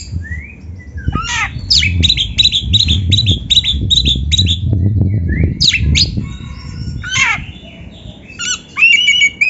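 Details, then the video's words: Kept white-rumped shama singing a quick run of repeated sharp chips followed by whistles and squeaky notes, over a steady low rumbling background. "SUARA BURUNG KACER MASTERAN"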